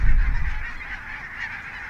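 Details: Brief snatch of a wintering barnacle goose flock, Svalbard breeding population, at Mersehead RSPB Reserve, Dumfries and Galloway, in November 2011. Constant chatter of many yapping calls, with a low wind thump at the start.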